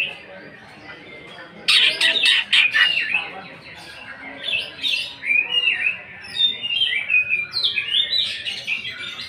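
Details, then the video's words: Greater green leafbird in 'nembak' style with 'isian kasaran' fill-ins, an emotion-provoking lure: after a quiet start, a loud harsh rattling burst of rapid pulses, followed by a lively string of varied whistled and chirped notes. "Pancingan emosi Cucak ijo. Cucak ijo nembak bongkar isian kasaran."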